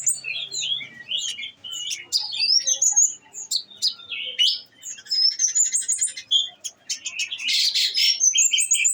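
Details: Caged olive-backed sunbird singing in full voice, fed on nectar: a busy run of high, thin chirps and rapid sweeping whistles, with quick trills and sharp notes in dense bursts and short pauses.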